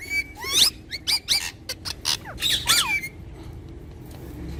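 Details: Pet talking parrots give a rapid burst of harsh squawks and bent, speech-like notes lasting about three seconds, followed by quiet low background hum.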